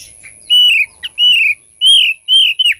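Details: Thick-billed white-eye singing a lure song: four long, clear, slightly arching whistles, each about a third of a second long, with a short sharp note between the first two.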